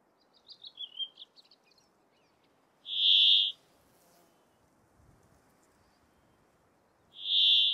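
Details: Male Brambling in breeding plumage, Abisko National Park, northern Sweden, June 24, 2022, gives two drawn-out wheezy buzzes about four seconds apart, after some soft twittering notes, against light wind noise.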